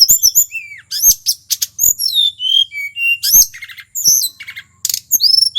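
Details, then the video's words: Wild local male tledekan from Mount Merapi singing nonstop: high, clear whistles sliding downward, mixed with sharp clicks and rapid chattering bursts, phrases varied and delivered almost without pause. "Suara asli tledekan gunung merapi FULL GACOR"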